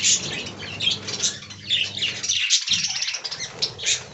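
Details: Budgerigars kept as an aviary colony chatter nonstop, said to be talking: scratchy warbling notes with a few clear whistled pips, backed by a low droning hum.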